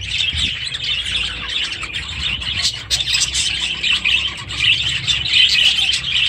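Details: Steady, dense twittering from a group of budgerigars housed in an aviary with chicks; high scratchy chirps and short warbled notes overlap without pause, growing slightly louder toward the end.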